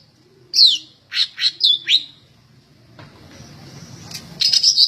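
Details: Energetic singing from a greater green leafbird prepared for competition: a few loud, clipped, descending whistles and chirps in quick succession, then background hiss, closing with a cluster of high, sharp notes.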